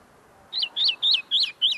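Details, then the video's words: Tame common linnet singing close in front of the recordist, a bird still polishing its notes: five clear, high chirps, each rising then dropping in pitch, spaced about a quarter second apart over a quiet background. "pardillo cantando delante de mi"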